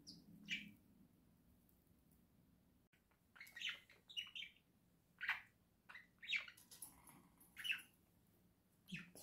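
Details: Budgerigar pair kept as pets in a cage, November 2024: a quiet start, then a string of scratchy chirps and squawky notes roughly every second, over a low background hum.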